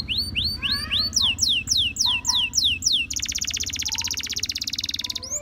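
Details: Canary song with rising notes, then a row of descending slurred whistles, then a long buzzy rapid trill, over a low background hum.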